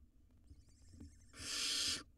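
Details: Wild barn owl nestlings swallowing rodents in their nest box; after quiet faint shuffling, a single loud, breathy screeching hiss of about seven-tenths of a second.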